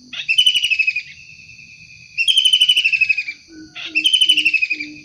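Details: Lively wild kingfisher, its calls used as lure and training material: three rasping downward-sliding rattles, each followed by a short pause, then several soft low hooted notes near the end.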